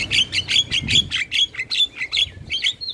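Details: Black-winged starling singing as training audio for other birds: quick rhythmic series of harsh chattering notes, about five per second, with a faint low rumble underneath.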